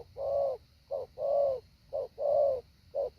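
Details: Spotted dove used as a decoy, practising 'hạ bổi' calling. Deep hollow coos come in short-long pairs roughly once a second, over a faint hum and slight background noise.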